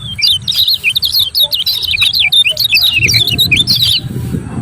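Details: Lemon-bellied white-eye song played to make reluctant birds sing: rapid, continuous high twittering with slurred up-and-down notes, a low rumble rising toward the end.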